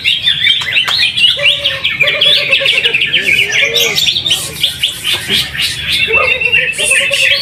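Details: Greater green leafbird, a caged bird in a weekly practice singing contest in Trowulan, Mojokerto, Indonesia, pours out a fast, varied warble of chirps and trills, with brief low whistles and a man talking in the background.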